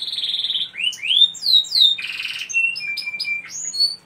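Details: Vigorous canary song meant to draw other canaries into singing: a buzzy trill, upslurred and downslurred whistles, a rolling low trill, a long flat whistled tone and short chirps.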